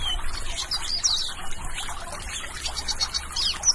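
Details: Western bluebird (Sialia mexicana) singing, giving soft, high chirps and short warbled notes in quick scattered bursts, over a steady low rumble and a faint trickling background.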